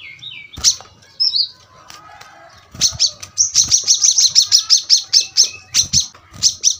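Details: Brown-throated sunbird, known locally as kolibri kelapa, kept for tutoring cage birds. After scattered chirps, a dense burst of sharp, high notes repeats rapidly, ending in a few separate downslurred notes. Low background hum.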